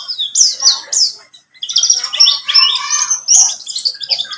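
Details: Buxtomi white-eye lure song for coaxing a bird into singing: rapid high twittering phrases, a brief pause, then a longer run of bright, warbled chirps and trills.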